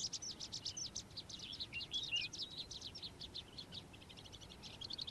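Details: In the morning a calandra lark gives a rapid, high, jangling twitter of short repeated notes, slightly fainter, with occasional clearer whistles.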